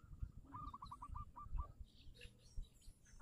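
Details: Local zebra dove song used as a lure to set silent doves singing: a faint run of quick, evenly spaced cooing notes, then scattered softer notes, over heavy low rumbling noise.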